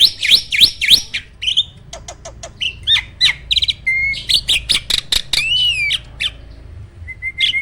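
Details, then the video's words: Farm-bred starling famed for contest wins sings bursts of looping whistles, sharp clicks and a rising-falling whistled slur, ending on short level whistles. "Burung jalak isian ISTIMEWAH!! selalu JUARA || Gacornya bukan main."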